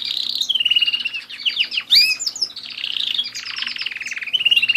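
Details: Continuous canary song indoors, a dense stream of rapid rolling trills and buzzy repeated notes with a sharp upward sweep near the middle, unbroken for nearly five seconds.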